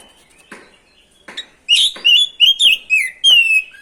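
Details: Oriental magpie-robin in full song, used to provoke other birds to sing: after a few faint clicks, a fast run of loud, rich whistled notes, each bending up and down, repeated several times a second.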